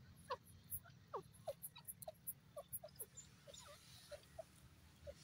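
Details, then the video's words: Grey francolin (bhura teetar) calling: a quick run of short, sharp chirping notes, some rising and some falling, spaced about every quarter to half second over a low rumbling background. "teeter ki awaz bhura teeter ki boli"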